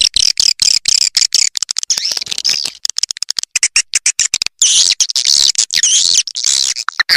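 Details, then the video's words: Swiftlet lure call used to attract swiftlets: dense, high-pitched twittering chirps in rapid, broken bursts, with a brief pause near the middle before the chatter resumes, louder and fuller. "Suara Panggil Walet Raja Liur Terbaru Call Swallow Birds"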